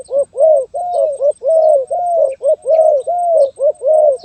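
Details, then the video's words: Zebra dove song in the Gagap Tindan (Sepatah) style, 23 January 2022: an unbroken run of about a dozen coos alternating clipped notes with longer arched ones, delivered roughly once every third of a second, with a faint steady high tone throughout. "Burung Terkukur Gagap Tindan (Sepatah)"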